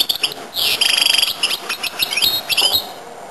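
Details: Goldfinch-canary hybrid singing: a fast trilled, buzzy run of rapidly repeated notes, then a string of quick twittering slurred phrases, bright and high, with a little background hiss.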